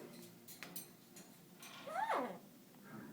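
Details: A 17-year-old pet Amazon parrot, singing, gives one drawn-out, voice-like note that swoops up and then slides down, after a few soft clicks and taps in a quiet room.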